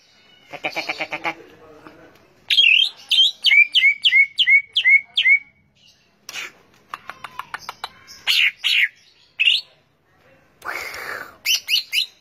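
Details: Cucak ijo, the greater green leafbird, in varied song: a series of about six clear, upslurred whistles repeated steadily, then scattered chirps, harsh bursts and quick clipped notes.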